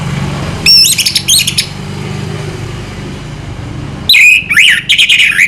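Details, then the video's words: Anis merah (orange-headed thrush) from Indonesia gives a quick cluster of stacked, zigzag whistled notes. After a quiet gap comes a longer warbling phrase of slurred, wavering whistles. "burung anis merah selow"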